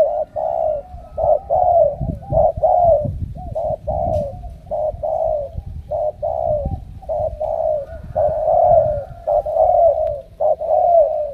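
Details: Continuous low cooing of a wild-caught spotted dove from Ca Mau, selected as a strong cooer, notes running in dense repeated phrases over eleven seconds with intermittent low thumping and rumbling noise underneath.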